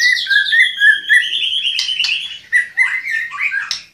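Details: White-rumped shama singing: a stream of clear, fluid whistles that slide up and down, broken by a few sharp clicks near the end.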